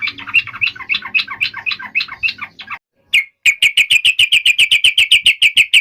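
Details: Yellow-vented bulbul singing aggressively to provoke an answer: a bubbling, chattering phrase of varied notes, a short gap, then a long even series of sharp repeated chips about four per second.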